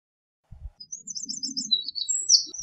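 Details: Fairly faint Eurasian wren song of high, quick twittering notes and short trills, over a low rumbling background noise with a couple of thumps.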